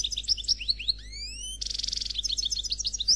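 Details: Faultless song of a Noir Khalwi European goldfinch: bright chirps, then three long rising whistled slides, a harsh buzzy burst, and quick tinkling notes to finish.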